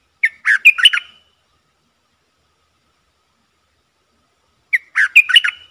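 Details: Red-whiskered bulbul acting as a decoy to attract wild birds repeats the same short, bubbly chirping phrase twice, about four and a half seconds apart, with silence in between.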